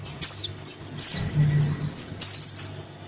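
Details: Crimson sunbird young calling its parent, used as a lure: a high falling squeak, a single chip, then a quick run of about eight bright ticks, repeated once more, over a faint low drone.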